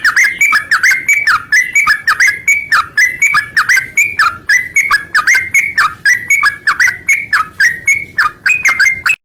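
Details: Lure recording of a lively yellow-vented bulbul meant to set other bulbuls singing: continuous chattering, gurgling whistles in quick repeated phrases, each dipping then rising.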